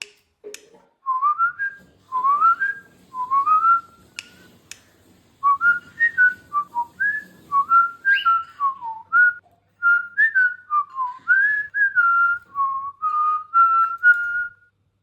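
A cockatiel whistles a long run of clear, melodic notes that rise and fall like a tune.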